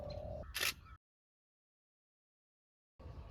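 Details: A brief hum and a sharp camera shutter click, then silence, then low rumbling background noise.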